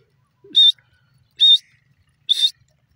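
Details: Grey francolin (dasi teetar) call: three evenly spaced, piercing, buzzy notes roughly nine-tenths of a second apart, preceded by a faint low squeak, otherwise quiet.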